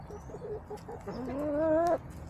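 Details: Backyard chickens in an urban homestead on a sunny day, eating leftover salad and sunbathing; soft short clucks give way to a drawn-out, rising and slightly wavering harmonic squawk lasting about a second, over low steady background hum.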